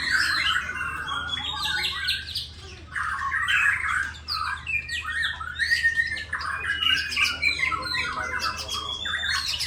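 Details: White-rumped shama from Borneo, known locally as Murai Batu, in a mixed-style song: dense bursts of harsh scratchy squawks, rapid chatter and varied warbled notes, phrases tumbling over one another, with a steady low hum beneath.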